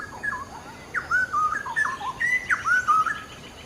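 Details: Cucak rowo, the straw-headed bulbul, in full gacor song as a tutor recording: short liquid whistled phrases, some swooping down and others rising, delivered in quick bursts with brief gaps.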